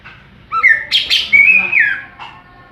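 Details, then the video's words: Greater green leafbird in the ngeplong song style gives a short rising whistle, two sharp high notes, then a long loud drawn-out whistle that slides gently downward, ending with a soft note. "Burung cucak ijo NGEPLONG2.."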